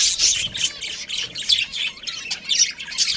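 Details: Budgerigars, a breeding pair of Australian parrots kept as pets, chattering in a dense stream of high scratchy chirps and squawky notes, with short bursts every half second or so and no pause.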